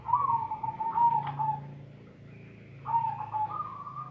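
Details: Silver perkutut, the zebra dove, giving bekur and cetekan coos: two soft, mellow, fluting cooing phrases with a brief wavering flourish, separated by a pause, over a constant low background hum.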